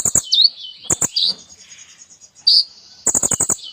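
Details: Short stretch of kolibri ninja sunbird song: sharp high whistles, a buzzy trill, a pause, then a fast run of dry clicking rattles at the end.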